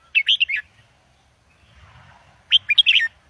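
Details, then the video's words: Red-whiskered bulbul performing Indo-double song for young birds to learn: two brief, fast strings of bright twittering notes separated by about two seconds of near quiet. "นกกรงหัวจุกอินโดเบิ้ลอาชีพ เปิดสอนลูกนก ยั้วนกฟังนกคึก"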